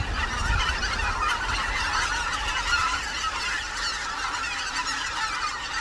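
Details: A large wintering flock of greater white-fronted geese on the Cheorwon plain, Korea, keeps up a dense, continuous chorus of high, yelping honks, many voices overlapping without pause.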